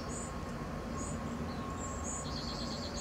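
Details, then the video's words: Cedar waxwings calling: thin, high, drawn-out hissing notes appear in scattered bursts over a steady low rumble of background noise. "Cedar waxwings calling"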